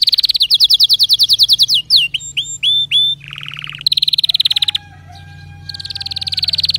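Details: Canary song: a fast, even trill of short notes, then a few sliding whistles, a lower buzzy roll, another rapid trill, a long steady tone, and a final quick trill.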